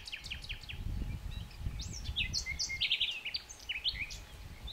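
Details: Common nightingale song in a quiet setting: a rapid series of sharp descending notes, then varied whistles, fast trills and chattering phrases, with soft low rumbling underneath.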